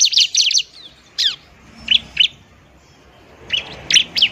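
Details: Bar-winged prinia singing in fighting mode to lure birds and stir lazy ones into song: a quick cluster of high chirps, then scattered single sharp notes with gaps of quiet between them.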